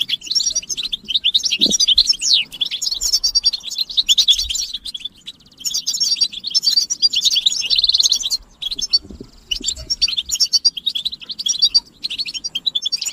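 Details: Collective European goldfinch chattering of mating calls, aimed at stimulating males to sing without interruption; repeated bursts of high, quick twittering and bright trills separated by brief pauses, plus a faint soft knock.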